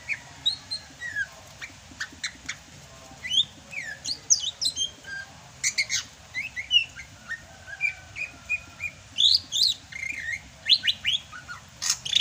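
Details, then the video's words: Sumatran greater green leafbird keeps up a lively rainy-season song, a nearly continuous stream of varied whistles, quick slurs and sharp chirps jumping between high and very high notes. "MUSIM HUJAN CUCAK HIJAU SUMATRA MASIH BISA GACOR"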